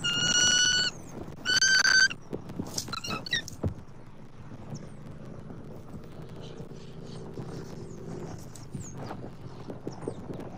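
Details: Bald eagle at a Southwest Florida nest on 29 October 2024, while the male keeps bringing food gifts to the female: two loud, drawn-out, even squealing notes a second apart, then softer scattered chirps over steady low background noise.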